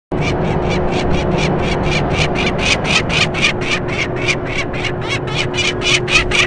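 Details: A peregrine falcon gives a harsh, rasping kek-kek-kek alarm call while flying past a power plant, about four notes a second and held steady throughout, over a low mechanical rumble and hum.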